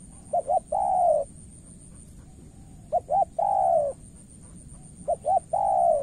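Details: Spotted dove from Cà Mau, Vietnam, in a contest between a decoy bird and an experienced opponent. Three evenly spaced phrases, each a stuttered pair of short notes leading into one longer rounded coo.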